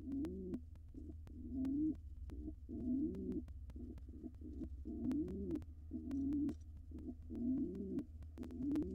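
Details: In a nest box, a wild male pigeon coos to the dancing female before laying. The coos are quieter and burbling and repeat irregularly over nine seconds, partly under a strong low hum and clicks.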